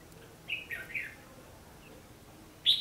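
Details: Red-whiskered bulbul fighting song used as a trapping lure on 14 December 2015: a few short whistled notes bunched near one second, then a single loud bright note near the end, over quiet background.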